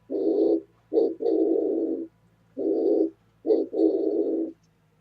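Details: Oriental turtle dove calling, recorded on 27 January 2017: low hoarse cooing in short-long pairs, a brief note then a longer drawn-out coo, repeated about every two and a half seconds, with a faint low hum underneath.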